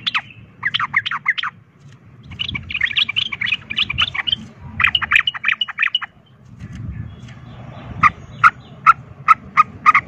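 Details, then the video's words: Sooty-headed bulbul giving a fighting song in the rapid ropel style, used to provoke other bulbuls into fighting; quick bursts of chattering, bubbly notes in short runs, ending with sharper separated notes, over a low background rumble. "pancingan trucukan ROPEL TARUNG ini bikin trucuk lain seketika ikut EMOSI tarung"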